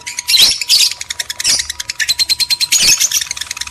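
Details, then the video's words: Male and female lovebirds in a breeding-arousal lure recording, meant to stimulate mating: high, dense chirping chatter with sharp squeaky bursts, then a steady run of quick clipped chirps about five per second. "PANCINGAN JEBOL BIRAHI BUNYI, BIKIN EMOSI LOVEBIRD JANTAN DAN BETINA"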